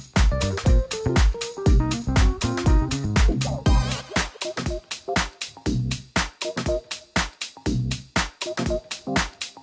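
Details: Upbeat electronic dance music with a strong regular beat plays throughout, with no animal sounds.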